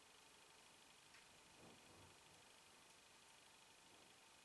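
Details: Near-silent indoor hiss with a faint rustle, no animal voice.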